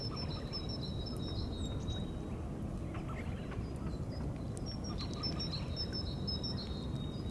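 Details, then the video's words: High, faint whistled notes of a tufted duck's mating call in two separate bursts, early and late, with a thin steady tone between them over continuous deep wind or water noise. "Tufted Duck Sounds"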